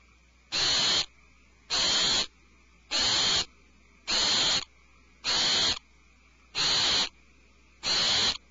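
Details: Alarmed owlets in a nest cavity give harsh, hissing screeches, each about half a second long, repeated steadily about every 1.2 seconds, with seven bursts in a row and quiet between them.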